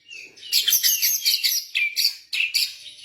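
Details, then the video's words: Kept white-rumped shama (blorok type) giving a lure song to make other birds sing: a burst of very high, bright chattering notes in quick pulses with thin whistled slides. "OCEHAN MURAI BATU BLOROK )PANCINGAN MURAI BATU MLAS BUNYI"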